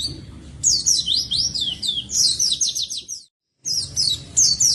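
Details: Oriental white-eye in vigorous song: rapid, high-pitched twittering runs of warbled, sweeping notes in bursts, with a brief silent break before another bright twittering phrase.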